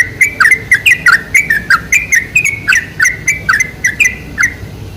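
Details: Bubbling, chattering whistles from a sooty-headed bulbul, used as a lure for bulbuls, repeated rapidly and steadily with short downward-slurred notes throughout.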